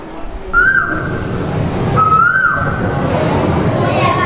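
Asian koel giving two clear, slightly rising whistled notes about a second and a half apart, over classroom murmur and background chatter.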